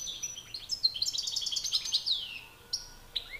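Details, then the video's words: European goldfinch males dueling in song, a master bird against an excited rival: a fast, buzzy twittering trill that ends in a long falling slur, then a few short sharp notes. "Battle de chardonnerets"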